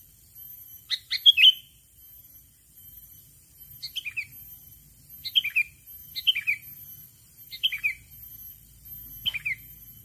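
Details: Sooty-headed bulbul luring a rival with a string of six short chirpy phrases, each a pair of quick notes sliding downward, spaced irregularly over ten seconds in near silence.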